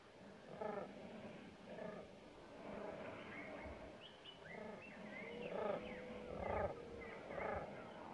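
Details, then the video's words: Common ravens, a breeding pair near their nest, in a noisy row with two nesting neighbouring crows that attack them, a distraction to keep an intruder 150 m away; hoarse harmonic calls repeat about once a second, with higher rising notes between. "Provoked Fight: Distraction by Ravens / Afleidingstaktiek Raven"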